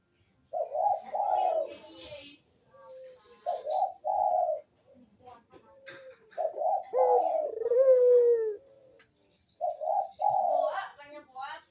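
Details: Turtle dove cooing vigorously in a 'kuk deruk' pattern, used as a lure for reluctant birds: burbling low coos in four bouts separated by short pauses, some ending in a drawn-out falling note, in a small quiet room.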